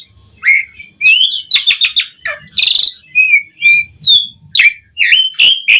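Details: Gacor song of an Asian pied starling (jalak suren), meant to coax starlings into singing: slurred whistles, clicking rattles and a loud harsh squawk mid-phrase, followed by more twisting whistled notes.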